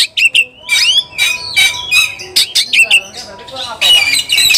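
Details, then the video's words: White-rumped shama, agitated and seeking a rival, uttering looping whistled slurs and rasping bursts in rapid sequence, with faint other noise underneath. "kacer gacor cari lawan tarung"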